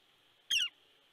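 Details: A red-shafted northern flicker visiting an eagle nest at Big Bear, California, on 13 December 2019 gives a single sharp, harsh call dropping slightly in pitch, about a fifth of a second, over faint high hiss.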